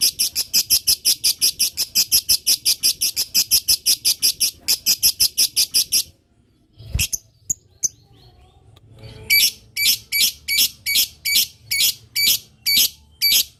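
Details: Lovebird in long 'ngetik' (typing) chatter meant to prompt other lovebirds to answer: rapid, even trains of shrill, high clicks and chirps, a brief pause with a low thump, then another fast run of sharp notes.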